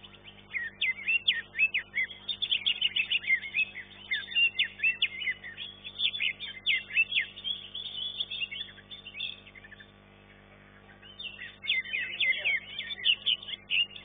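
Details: Competing green leafbird, third place in class 1 of a singing contest: long energetic outpouring of loud, high, rhythmic chirps and whistles, a near-silent pause of about two seconds, then another vigorous burst.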